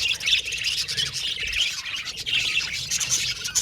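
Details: Several budgerigars singing and chattering together. There is a steady wash of soft, high chirps and scratchy twitters, quieter overall, with no single bird standing apart.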